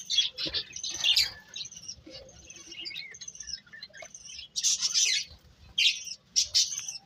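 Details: Small birds chirping and twittering, with a jumble of high thin notes, quick warbles and a few louder bursts of overlapping chirps.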